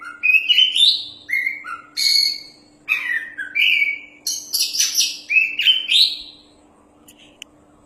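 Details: Champion Oriental magpie-robin (kacer) in loud song: clear whistled phrases that slide up and down, buzzy bursts and rapid varied notes in short runs separated by brief pauses, over a faint steady hum.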